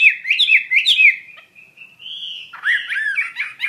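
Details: Actively singing hwamei (wambi mandarin bird) gives looping whistled phrases, a long steady whistle that rises slightly, then a rush of mixed chirps.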